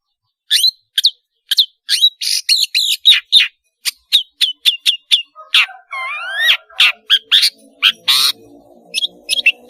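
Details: Long-tailed shrike in full song, used to tutor juveniles learning calls. Rapid series of sharp, clipped notes, then a run of rising whistled slurs and scratchy chatter, with pauses between phrases.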